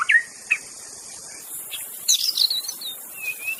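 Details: Wild white-rumped shama singing without mimicked fill-ins, a song used to prompt stalled captive shamas into singing: a few scattered short whistled notes, then a brief high warbling flourish, over a steady high insect drone.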